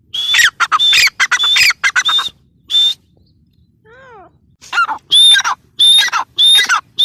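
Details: Loud grating calls of a grey francolin come in quick, irregular clusters, each note topped by a thin whistle. Faint curving calls sound during a brief lull.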